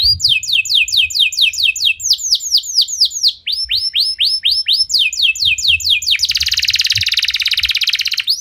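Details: Canary song used as a lure to set other canaries singing, in the bursting 'nembak' style: rapid rows of high descending whistled sweeps in changing tempos, ending in a dense, loud buzzy trill.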